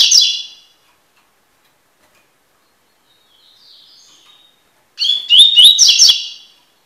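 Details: Double-collared seedeater song for encarte training: a short whistle at the start, a long quiet gap with a faint note, then a rising whistled phrase ending in a buzzy burst.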